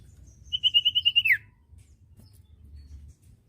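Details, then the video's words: Common iora singing a quick string of about seven bright, evenly spaced whistled notes that ends in a fast downward slur, over a quiet low hum; a tutoring recording meant for untrained birds. "masteran burung cipoh bahan II masteran cipoh sirtu bahan"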